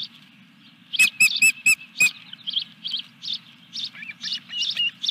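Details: Osprey at its nest at Dunrovin Ranch on 14 July 2021, during the third fish delivery: a quick burst of four sharp high chirps, then softer, breathier chirps. A steady low hum runs underneath.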